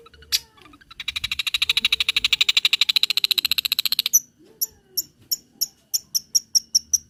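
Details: Long-tailed shrike lure recording with fill-in material for training: a brief note, then a long, fast buzzy trill, followed by sharp high chips repeated about twice a second.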